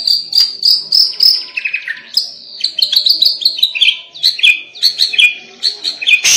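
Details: Fierce White-rumped shama song used to provoke other shamas: high clear notes repeated in quick series, with falling slurred phrases between them and a loud clatter at the very end.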